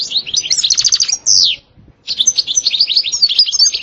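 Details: Goldfinch song in the stasta and btbta style: a rapid trill of notes ends in a long drawn, downslurred buzz, then, after a short silence, a bright, dense twittering.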